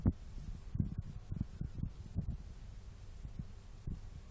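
Only soft, irregular low thuds and a few sharp knocks over a steady low hum; no bird or other animal voice.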